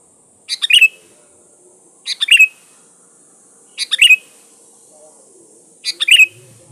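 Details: Energetic Sooty-headed bulbul lure song: four crisp, bubbling phrases, each finishing on a bright downslurred whistle, spaced about every one and a half seconds over a quiet background.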